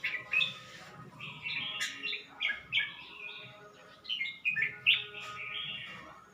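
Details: Red-whiskered bulbul kept in a cage in Suan Phueng, Ratchaburi, Thailand, recorded 29 May 2020, only recently beginning to sing under a new keeper; chattering, fluty phrases delivered in uneven bursts over a low background rumble.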